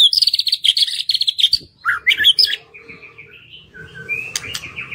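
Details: White-rumped shama singing to stimulate other birds that seldom sing: a rapid high chattering trill, then looping whistled phrases and softer sustained notes over faint background noise.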